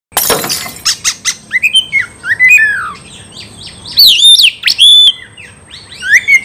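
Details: Oriental magpie-robin calling to provoke a rival into a fight: a burst of sharp clicks opens, followed by rich, loud whistled phrases that slur down and up, with bright ringing notes toward the end and a faint steady high whine behind.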